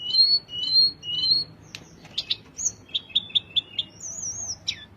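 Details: Velvet-fronted nuthatch song with three pairs of long, clear high whistles, then sharp clicks, a quick run of five short chirps and a high warbled trill.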